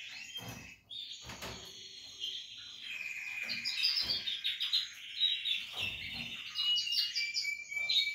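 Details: Canary chicks of the Portuguese Harlequin breed, kept for breeding, make a continuous chatter of high twittering and rolling trills, swelling louder midway, with low thumps and rustling in the background.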